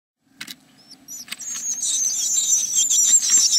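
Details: Great tits inside a nest box, 29 April 2017: a few clicks and scrapes, then a swelling, continuous high, shrill buzzing of calls that grows louder over a low steady hum.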